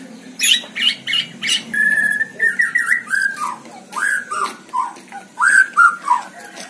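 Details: White-rumped shama singing from a hanging cage for a training recording: sharp clicks and chips, then a sequence of smooth descending whistles repeated roughly every half second over a faint low hum.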